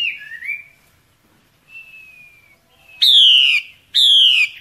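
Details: Breeding-season female Hwamei in natural forest luring males: wavering whistle, a thin sliding note, then two loud, harmonically rich descending whistles about a second apart.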